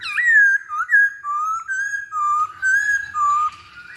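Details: Masked laughingthrush song used as a singing lure: a sequence of pure whistled notes alternating between higher and lower pitches, each held briefly with slight bends, in an unhurried, uneven rhythm.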